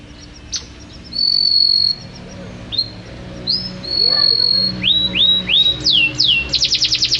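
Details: Champion canary in full, constant song: long, even high whistles and upslurred notes, then a series of downward-swooping notes that quicken into a fast rattling trill at the end.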